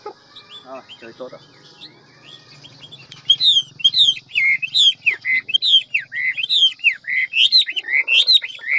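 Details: Hwamei of ngũ trường style sings a fast, varied forest-voice song. Soft, low chatter opens, then a loud series of repeated swooping whistles, roughly two each second, over a faint low hum.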